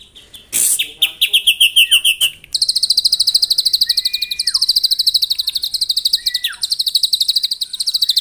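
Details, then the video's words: Morning song of a white-rumped shama used to rouse rivals: a few harsh trilled bursts, then a long unbroken rapid rattle of high notes, with faint falling whistles underneath. "MENAIKAN EMOSI LAWAN AGAR GACOR & BONGKAR ISIAN ( TEMBAKAN MURAI BATU )"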